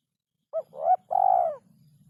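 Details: Spotted dove (derkuku) song, in a rhythm said to be very hard to find: one short coo, a rising swelling note, then a long, level, vibrating coo that fades out.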